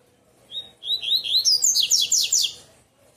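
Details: Double-collared seedeater, known as coleiro tui tui, singing in the bitola style: a short phrase of thin whistled notes climbing in pitch, then a fast series of descending buzzy slurred notes, with faint background hum.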